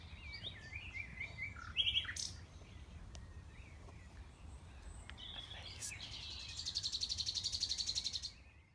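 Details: Nightingale singing at the Knepp rewilding project, West Sussex, May 2018, from a tree platform: varied whistles and sharp chips, then a long, buzzy, fast rattling trill lasting nearly two seconds before falling silent; blackbird in the background.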